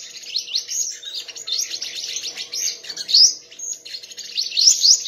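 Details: Sunbird singing in a song contest: rapid high, thin twittering phrases with sweeping rising notes, delivered in bursts about a second long with short gaps.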